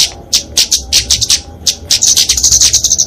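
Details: Flowerpecker (kemade) fighting song, used to train and lure small songbirds: separate sharp high chips at first, then a fast, buzzy, very high trill of closely packed notes near the end.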